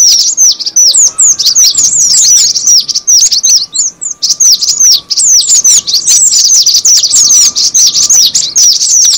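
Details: Cinereous tit calling as a lure: a busy, continuous chatter of sharp, high descending chirps, about two and a half per second, with a slight lull near the middle and a faint hum beneath.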